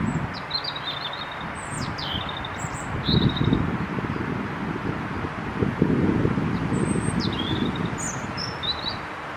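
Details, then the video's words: European robin singing in cold wind on 4 April 2023, followed by the recordist: thin high whistled phrases, sliding and twittering, scattered across several seconds, over heavy gusting wind rumble. "Koncert Rudzika"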